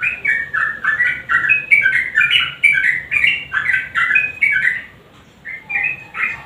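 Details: Lively yellow-vented bulbul singing to draw silent birds into song: a continuous babble of clear, gurgling whistled notes for five seconds, a brief lull, then a few more bright phrases.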